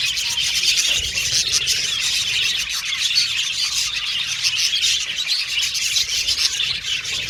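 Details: Happy budgies chirping: a lively flock chorus of rapid, scratchy chirps and chattering warbles running on without a break, with a quiet low-pitched hum in the background.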